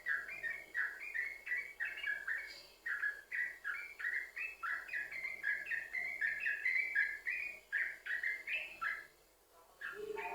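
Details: Song of the yellow-vented bulbul used to lure others of its kind into song: a sustained flow of gurgling, slurred notes in rapid sequence, breaking off briefly near the end before resuming.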